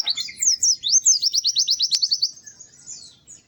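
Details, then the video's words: High-pitched white-eye song opening with a few twisting notes, then a quick, regular series of clear downslurred chips that fades into thinner, softer twittering. "Kicau Burung PLECI GACOR MERDU"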